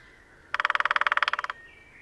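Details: Lesser spotted woodpecker drumming in display early on a sunny morning at Sandemar Reserve, Sweden, a pair on territory, recorded with a parabola: a single rapid roll of about eighteen sharp, even strikes lasting about one second, with faint birdsong behind.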